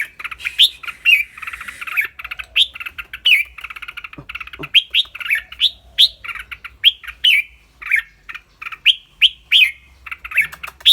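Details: Caged red-whiskered bulbul with a clear voice alternates singing and rik-rik chattering. Dense, bright whistles and buzzy chatter run continuously, broken by a few low knocks near the middle.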